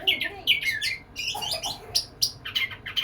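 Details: White-rumped shama courting a female with bright whistled notes and chirpy phrases that rise and fall, plus some lower, softer sounds underneath.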